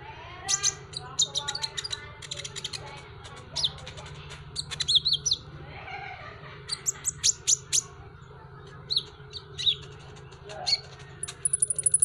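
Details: Van Hasselt's sunbird, kept as a pet songbird, masteran tutor recording: a dense, continuous run of very high twittering chirps, ticks and short trills throughout, with a constant low hum underneath.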